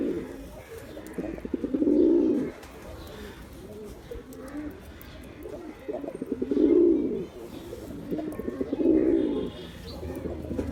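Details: Male pigeon repeating deep, rolling coos, three loud swells spaced several seconds apart, with soft murmurs in the gaps.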